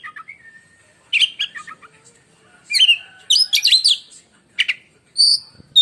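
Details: Oriental magpie-robin contest bird giving a piercing, lightning-like song: scattered soft whistles, then loud clusters of high chirps and buzzy trills, ending with a clear high whistle.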